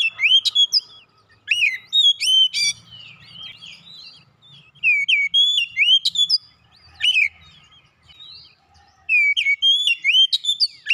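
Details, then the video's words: Song of an oriental magpie-robin played as a lure for other birds: repeated bursts of bright, varied whistles, quick slurs and crisp high notes, about four phrases with brief silences between, over a soft low background noise. "PANCINGAN KACER macet bunyi sudah pasti ikutan gacor"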